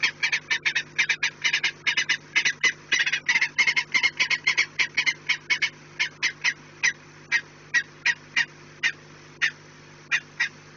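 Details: At the Orlen nest on 4 March 2019 at 16:28, a peregrine falcon utters a dense burst of grating kek calls that slows into spaced single notes about one per second, over a low hum.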